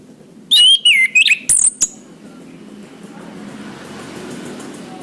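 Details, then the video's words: Orange-headed thrush song for training caged birds: a quick burst of looping whistled notes and sharp clicks lasting about a second and a half, followed by steady background rumble. "Suara Anis kembang | Masteran | Bunyi burung"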